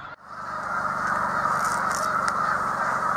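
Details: Snow geese gathered in a large flock along Cayuga Lake in Seneca Falls, New York, March 2021; after a brief dropout at the start, a loud, dense swell of overlapping honking yelps fills the rest.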